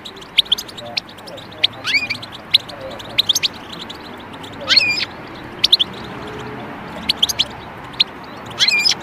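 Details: Calls of a European goldfinch, kept for taming birds: scattered short high ticks and chirps broken by three brief twisting whistled phrases, over a low steady hum.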